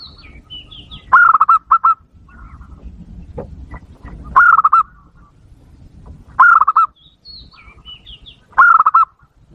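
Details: Zebra dove lure call, meant to provoke wild doves. Loud rolling, rapidly pulsed coos repeat in short bursts about every two to three seconds. Faint higher whistles from another bird are heard between bursts.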